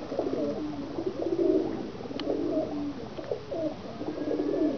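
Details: Domestic pigeons in Pakistan keep up a continuous low, burbling chorus of coos from several birds, overlapping rolling phrases, with a couple of sharp clicks in the enclosed space.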